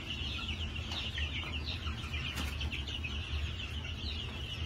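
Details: New Hampshire chickens on a farm in March 2021, many birds giving rapid, overlapping high chirps and soft clucks without pause, against a persistent low background hum.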